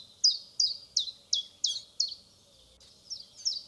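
A common chiffchaff sings a steady run of sharp, high, down-slurred chip notes, about three a second, with a brief pause before the series resumes.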